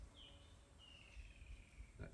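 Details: A Woodland Kingfisher, calling in the background and said to have arrived from West Africa a couple of weeks earlier, gives a high, sharp note, then a long, slightly falling trill of about a second, faint behind low rumbling and a brief knock.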